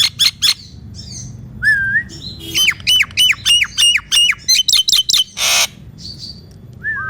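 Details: Nias hill myna song used to prompt silent mynas to sing: loud harsh squawks, a series of downslurred whistles repeated rapidly, a dense noisy burst, and short whistled notes, over low background hum.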